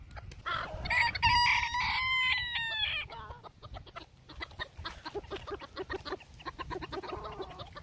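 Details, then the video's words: Bantam Phoenix cockerel crowing a drawn-out, wavering cock-a-doodle-doo of about two seconds over a noisy background, then soft repeated clucks and clattering. "More Crows - Bantam Phoenix"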